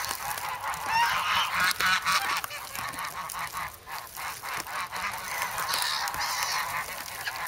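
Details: Noisy, hungry geese, former goslings, begging bread in a snowy Amsterdam park in February; loud overlapping honks early, easing into softer scattered calls, with sharp pecking taps and a brief hoarse squeal late on.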